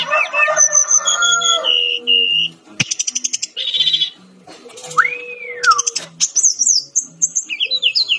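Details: Brown-chested jungle flycatcher in full, lively song for a training recording: sustained high whistles, a stuttering rattle, one clear arched slur, then high zigzag trilled phrases over a soft low hum.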